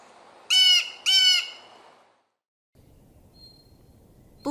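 Blue Jay giving two harsh, nasal, buzzy screams about half a second apart, then a pause before another rising sound begins.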